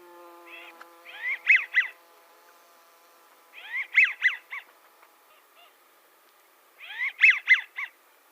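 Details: Male American Wigeon whistling, a wintering bird seen in flocks on lakes around Seattle: three bursts of breathy whistles, each a wheezy three-note whee-WHEE-whew phrase, repeated about every three seconds.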